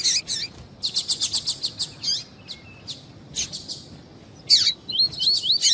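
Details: Double-collared seedeater (Sporophila caerulescens, coleiro tui-tui), a strong "fibra" song used to warm up birds for song tournaments: fast bursts of high, sharp chirps, a quick run of repeated notes, then thin wavering whistles near the end.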